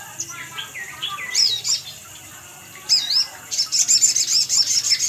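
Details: Sunbird lure call meant to make wild birds respond: looping high whistled chirps, a short pause, then a fast, continuous string of piercing twitters over steady background hiss.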